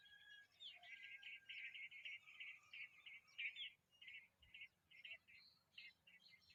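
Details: Hungry Familiar chat chick begging: a run of short, harsh, buzzy chirps delivered in quick bursts about twice a second, with brief gaps between groups and faint background hiss.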